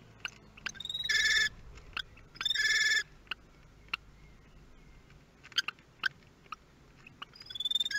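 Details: First feeding of newborn common kestrel nestlings, 23 May 2022, Théding, France: two harsh, buzzy calls roughly a second apart, each lasting about half a second, followed by quieter clicks and ticking, with a fresh buzzy burst at the end.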